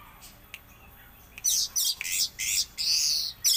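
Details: Orange-headed thrush, "raja patah" song style: after a quiet start, a burst of loud, harsh, buzzy notes in quick succession, each short and scratchy, running to the end.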